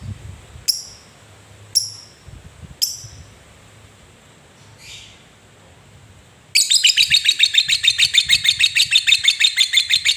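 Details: Three sharp high chips from a lovebird, then after a quiet gap the long ngekek chatter begins, a rapid buzzy rattle of repeated pulses continuing for several seconds, used as a lure to get lazy lovebirds singing.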